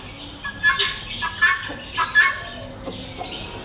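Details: Helmeted guineafowl from a breeder pair giving harsh, broadband calls in spaced bursts, about three loud notes over a few seconds, with background chatter.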